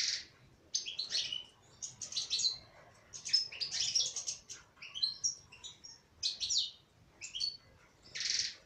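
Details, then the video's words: Female European goldfinch singing a lively run of high twittering phrases, bursts of buzzy and tinkling notes with brief pauses, some ending in a rasping buzz. "تغريد انثى حسون"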